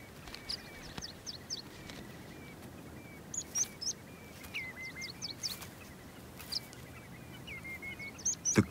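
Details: In summer on an open glacial plain strewn with volcanic debris, where whimbrels breed densely in short grass and a pair guards its nest, whimbrels give rippling whistled trills in repeated bursts of quick even notes, with sharper high chips from other birds over wind-like hiss.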